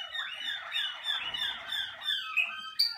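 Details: Caged Malinois Waterslager canary singing during early song-cabinet sessions. One continuous warbling phrase of rising, rolling notes, dense and bubbling throughout.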